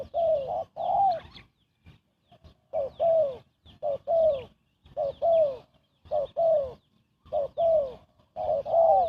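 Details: Spotted dove giving quick coos for luring birds into traps; soft short-long coo pairs repeated in bursts, separated by short silences, with faint quieter notes between phrases.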